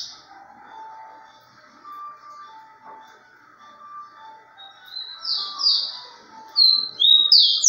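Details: Rufous-collared sparrow song in the Curico style: several seconds of soft, steady lower tones in the background, then a run of loud, high, slurred whistles, some falling and some rising, near the end.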